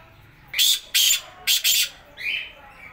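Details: Black francolin calling in the morning: a run of loud, harsh, grating bursts, three strong notes then a softer, lower trailing note, over quiet background.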